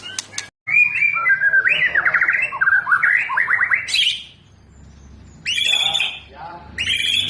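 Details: Powerful singing from an owned white-rumped shama, full of bursts and fill-ins. A long, harsh, rapidly warbled phrase climbs upward, followed after a pause by loud, buzzy, harmonic bursts.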